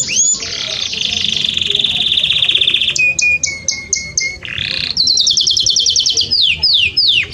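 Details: Canary song meant to teach Belgian canaries the fast song: a long rattling high trill, a pulsed section over a low whistled tone, a buzzy burst, then fast rolls and falling sweeps.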